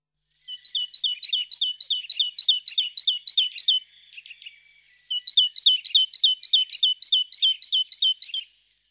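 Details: Two long, regular runs of quick, high, twittering paired notes from a tit, separated by a soft, hissing, buzzy interlude of about a second.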